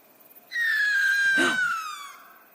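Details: Sooty Owl, an Australian owl: one long, shrill, screaming whistle sliding slowly downward for about one and a half seconds, with a brief low thump midway; a weird, descending "scree", unsettling and murder-like when heard in the forest.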